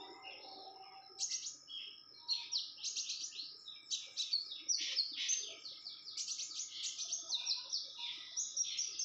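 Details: Female Red-whiskered Bulbul in breeding condition, calling excitedly. A fast, lively chatter of varied bright, warbling high notes runs in bursts across the clip. A faint steady hum sits underneath.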